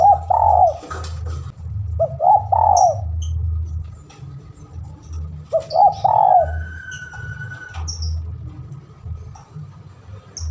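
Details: Vigorous spotted dove calling to a rival for luring: three separate coo phrases, each quick soft notes ending in a fuller hooting coo, with faint high chirps and continuous low hum.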